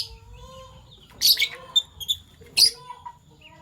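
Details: Fischer's lovebirds, a PB violet and a euwing gold opaline, chirping in the morning: two loud, shrill, harsh bursts about a second apart, with softer squeaky notes and faint tonal whistles in between.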